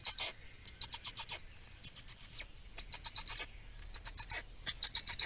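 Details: In Estonia on 17 May 2019, Black storks at feeding time produce quick clusters of sharp, rasping high notes, several pulses per burst, with the bursts following one another closely.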